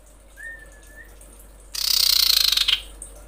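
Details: Female common iora calling males, a lure recording: a soft level whistle, then a dense, high, trilled buzz lasting about a second.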